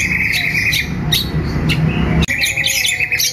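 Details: Long-tailed shrike kept in a cage, brought out in the morning: a buzzy sustained trill with scattered sharp ticks, a brief break near the end, then more scratchy notes.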